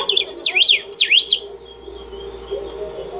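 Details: Saffron finch singing nonstop to call or train: an opening note, two fast zigzagging whistled phrases sweeping high and low, then quiet with a low hum.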